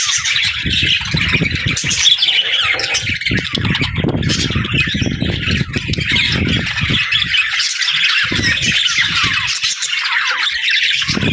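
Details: Budgerigars warbling and chattering, a dense continuous wash of scratchy, squeaky notes without pause, with low thumps and rumbles of handling noise underneath.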